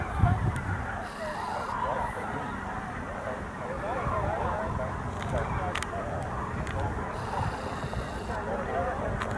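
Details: A large flock of common cranes heading to roost at Rehdener Geestmoor near Diepholz, Germany, on 8 November 2014 keeps up a dense, overlapping chorus of rolling, trumpeting calls over a low background rumble.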